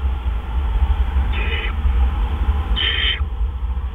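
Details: Owl in the small hours of 12 April 2013 during a male's food delivery. Two coarse hissing screeches sound about 1.5 seconds apart, the second louder, over a steady low hum.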